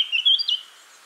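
A brief, bright snatch of Eurasian blackcap song: a quick, clear warbled phrase of a few high, fluty notes lasting under a second, over a faint background hiss.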